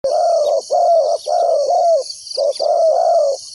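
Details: Spotted dove used as a ground decoy to lure wild doves into a trap. It gives mellow, low coos in paired phrases, each roughly half a second with short gaps between. A steady high insect buzz runs behind.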